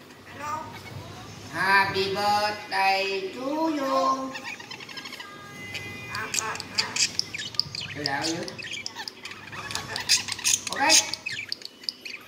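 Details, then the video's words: Common hill myna over one year old talking clearly: a few seconds of speech-like harmonic phrases, then a quick series of sharp whistles, clicks and chirps. "chim nói rất nhiều sau 1 năm tuổi//nhồng nói rất rõ"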